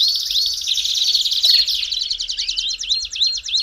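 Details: Belgian canary song for warming up canaries: a rich, rapid trill that loosens after about two seconds into distinct repeated upslurred notes, roughly three per second.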